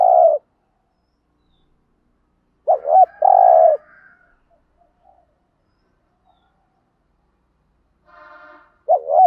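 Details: Spotted dove with a thổ-style voice, cooing to prompt decoy doves to answer: low phrases of a short two-part note and a long even coo, repeated about every six seconds, with a faint buzzy note between.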